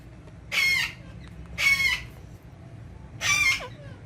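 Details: Three loud, harsh, screechy calls spaced about a second apart from a green ringneck parrot talking with its mirror, said to be in Urdu and Hindi; quiet background between calls.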